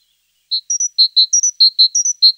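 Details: Bright whistled tit song: a lower note followed by a higher double note, then paired lower notes, the pattern cycling regularly for about two seconds with no other sounds.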